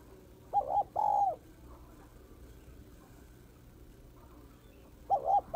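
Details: Female spotted dove calling to rouse males, giving a soft hooted double note and a drawn-out wavering coo, then silence before the next phrase begins.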